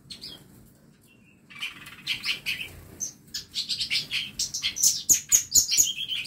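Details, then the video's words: Aviary songbirds kept for song tutoring, quiet at first, then a buildup of rapid high chirps and twitters, ending in a run of very high, evenly spaced piercing notes. "KANDANG AVIARY ISI NYA BURUNG BURUNG MASTERAN"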